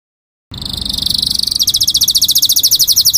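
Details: Indonesian canary singing a tembakan ciblek phrase, a prinia-style volley; very high, thin, rapid trill of evenly repeated notes that starts smooth and then pulses about seven times a second.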